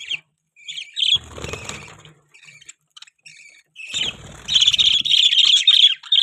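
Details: Budgerigars kept as pets give scattered soft chirps, then a quiet gap, followed by a sustained loud stream of buzzy, rapid warbling chatter.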